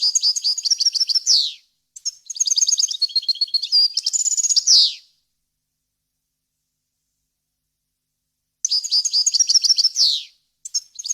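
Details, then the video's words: Wild-style varied song of a European goldfinch, recorded clean to tutor chicks and hybrids: bursts of rapid high twittering with buzzy downward slurs, a long silence, then another twittering phrase. "غناء طائر الحسون ، صوت صافي وخالي من الاخطاء لتسميع الفراخ"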